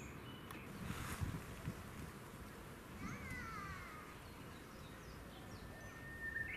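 A lesser cuckoo gives one quick phrase of loud, swooping whistled notes midway through, over a steady low rumble of background noise.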